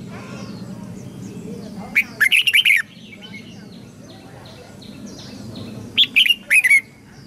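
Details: Red-whiskered bulbul tutor song for young birds, also used to get newly caught birds singing quickly: two sprightly phrases of five or so quick, liquid notes about four seconds apart, over a steady low background hum.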